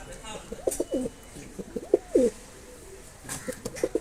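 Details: Mosaldom pigeon cooing: three short, low stuttering coo bursts, each a quick run of pulses ending in a brief swell, separated by quiet pauses.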